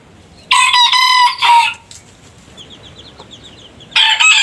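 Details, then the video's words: Rooster crowing: a loud, rough crow lasting over a second, then a quiet stretch with faint high chirping, then another crow bursting in at the end. "Rooster Crowing - Rooster Sound Effect - Gà Gáy - Gà Trống - Tiếng Gà Gáy - Con Gà Gáy"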